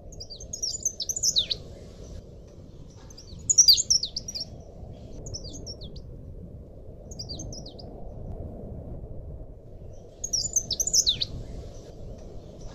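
A leaf warbler sings very high, thin chirping phrases in short bursts every few seconds over a steady low rumble of background noise.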